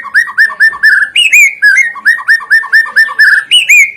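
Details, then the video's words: White-rumped shama singing as a lure for other birds: fast, regular run of short slurred whistles repeated about twice a second, broken by higher rising whistled flourishes, clear and loud with no other sounds. "sekali dengar murai,trotoll,pastol ikutan bunyi,cocok untuk pancingan murai batu yg kurang efektif"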